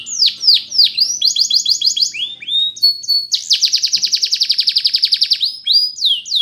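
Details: Flute-style song of a Russian canary used for training: opening descending slurred notes, a short rolling trill, then a long rapid buzzing trill of even high pulses ending in falling whistles.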